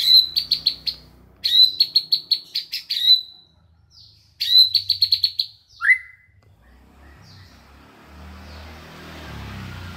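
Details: A white-rumped shama gives three bursts of rapid, high chattering notes mimicking a cucak jenggot bulbul, then a slurred falling whistle before a rising background hiss.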